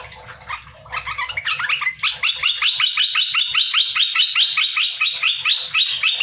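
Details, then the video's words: Lure song of a captive, wild-caught olive-winged bulbul, loud and sharp, used to prompt other bulbuls to answer; busy jumbled notes open into a steady rapid series of bright chattering phrases repeated several times per second. "Merbah belukar gacor,merbah belukar mata merah mp3"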